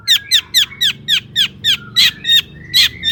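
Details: Long-tailed shrike in energetic full song, used to stimulate other shrikes to sing: a steady series of harsh, down-slurred notes, about four per second, with a faint low hum underneath.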